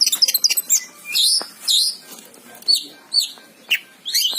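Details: Oriental magpie-robin in full song, a rapid run of short sharp chips leading into looping whistled phrases, rising and falling slurs, and clear bright notes separated by brief pauses.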